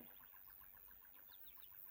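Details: A faint Pileated Woodpecker in heavily wooded land at Wentworth, Nova Scotia, gives a quick run of even, hollow wuk notes, about six per second, with thin higher bird notes in the background.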